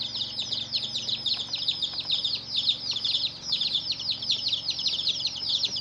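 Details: Chicken chicks chirping loudly as a brood, many sharp high descending peeps in fast, overlapping bursts, continuing throughout with faint taps and a quiet hum.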